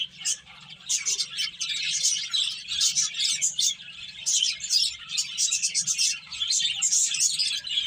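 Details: Finches eating and playing, starting with a short lull before thick, rapid high chirps build into constant overlapping twitter above a faint low hum.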